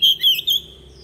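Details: Short fragment of wild-style song from a decoy Oriental magpie-robin used in training young birds: three quick whistled notes, the middle one slurring downward, then quiet.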